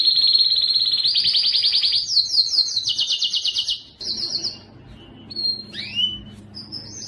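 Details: Canary song meant to train other canaries: a dense rolling trill rising into a series of rapid high notes, then softer scattered whistles and a downward sweep with quiet gaps.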